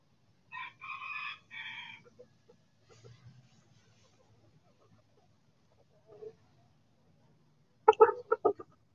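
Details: Backyard chicken in the sun gives one short, rough, multi-part crow early on, then a long near-silence with faint scattered sounds. A burst of quick, clipped clucking notes follows near the end.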